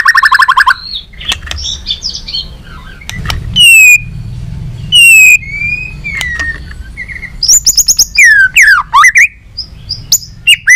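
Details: White-rumped shama in training, tail-flicking during competitive singing with many varied voices: scattered clear whistles, steep high sweeps and quick chirps, interspersed with quiet gaps and faint low rumble.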